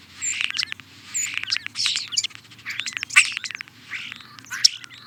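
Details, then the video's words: European starling song: harsh, noisy chattering and rattling phrases with scratchy clicks and a few brief whistles, over a steady low hum. "European Starling - Songs"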